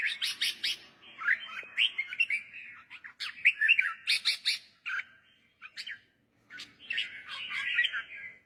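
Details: Lively red-whiskered bulbul song, used to excite birds or teach young ones. Dense bursts of high chirps mix with rich whistled warbling, with a pause around six seconds before a final long phrase.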